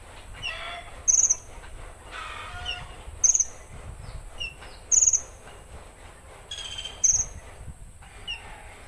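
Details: Konin singing 'tembakan kasar', its rough shot style. Short, very high stuttered bursts of a few rapid pulses come roughly every two seconds over steady high-pitched background hiss, with lower scratchy chatter from other birds in between.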